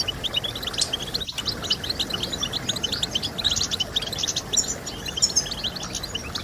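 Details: European goldfinch song meant to encourage other birds to sing: a continuous stream of bright, quick chirps and short trills, high and crowded, with overlapping phrases and a brief click near the start.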